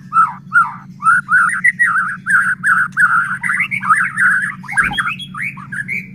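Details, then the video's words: White-rumped shama gacor song used as a lure to set other shamas singing; rapid chattering and whistled phrases in a continuous stream over a steady low hum, with a brief knock near the end. "Murai batu gacor AMPUH buat PANCINGAN murai batu agar bunyi JADIKAN burung murai EMOSI"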